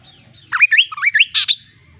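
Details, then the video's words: Kaso kaso bird singing: a quick series of rising, slurred whistled notes followed by a short harsh buzzy burst, delivered in about one second against a quiet background. "Suara Burung Kaso Kaso | Ocehan Burung Kaso Kaso | Kaso Kaso Bird Sound"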